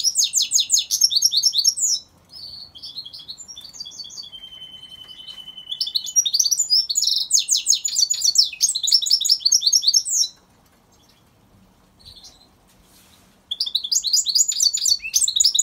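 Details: Goldfinch mule, a goldfinch hybrid, in a long bout of high, fast twittering song with dense trills and a held whistled tone, pausing briefly then resuming with bright repeated chirping phrases.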